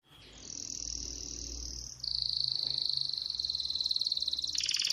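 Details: Canary song: a smooth high trill held for about two seconds, then a louder, faster rolling trill that runs steadily to the end, with a brief harsher burst at the close.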